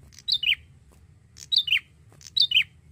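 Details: Actively singing young male Bar-winged prinia gives three quick phrases, each a bright high note slurring into a lower, descending buzzy note, roughly once per second, with a soft low background hum.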